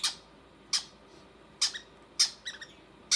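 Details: Clipped, sharp squeaks from conure chicks during feeding by their mother, five brief rasping notes spread about half a second apart, some followed by a fainter echoing note.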